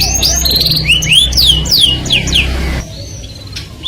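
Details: Canary singing, its melodious song said to attract the opposite sex: a run of slurred, rising and falling whistled notes, then a brief break into quieter scattered chirps near the end, over a low background hum.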